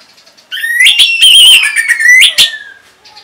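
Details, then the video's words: Orange-headed thrush song meant to stimulate other birds into singing. A loud, continuous, warbling whistled phrase rises sharply, wavers and then glides gradually downward over about two seconds. "Luar Biasa ANIS MERAH ini Mampu Membuat Burung Bahan Maupun Macetan Bisa Langsung Nyaut Ngeplong!!!"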